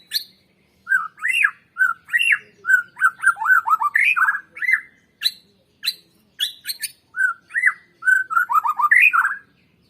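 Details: White-rumped shama song used as a lure to get other birds singing: varied whistled phrases with rising and falling slurs, delivered in bursts separated by short pauses, with scattered high clicks.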